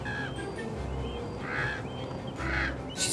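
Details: Young common ravens, just out of the nest, give harsh, nasal begging cries for food in three short rasping bursts about a second apart. Recorded in the Verdugo Mountains near Los Angeles in June 2021, with soft music underneath.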